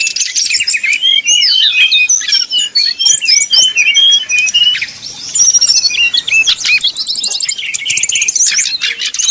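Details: Brown-chested jungle flycatcher pouring out 'nyuling' song to heat up rivals: varied high whistled phrases, quick up-and-down slurs and chatter-like trills, loud and nearly continuous with a short dip midway.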